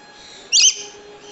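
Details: Swainson's lorikeet giving a single loud, harsh, screechy call lasting about a quarter second, high and noisy with a slight faint hum in the background.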